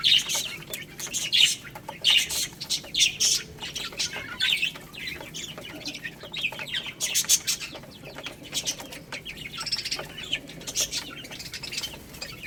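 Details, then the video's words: Baby chickens eating rice, giving high, short descending peeps in quick irregular bursts, mixed with dense dry clicking of pecking throughout. "Crazy Little Chicks Eating Rice | Cute Baby Chicken Chirping Sounds"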